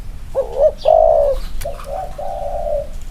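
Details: Male spotted dove in a side-by-side comparison of two birds' inner-circle cooing: a short burst of low, hooting coos, two clipped notes, then a longer drawn-out one, with faint chirps in the background.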